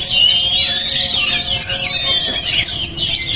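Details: Oriental magpie-robin (kacer) called highly emotional and tough-minded, opening with a long, thin, high whistle, then breaking into quick sharp slurred notes and rapid chatter, about four notes a second, over a faint steady low hum.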